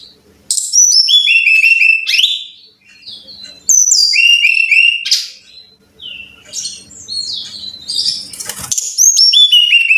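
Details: Training recording of Brown-chested jungle flycatcher song for caged birds: repeated phrases of high descending whistles and short pulsed trills separated by brief pauses, with faint low hum and one sharp click.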